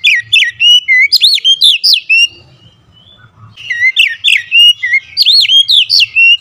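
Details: Fierce, agitated oriental magpie-robin singing: rapid bursts of loud, sharp whistled notes sweeping up and down, about four per second, a short pause, then another bright burst; faint low background hum.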